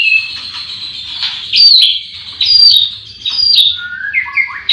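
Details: White-rumped shamas at a breeding farm's cages in the morning, many birds singing together: loud whistled phrases with sharp high notes, broken by short pauses, then lower sliding whistles near the end.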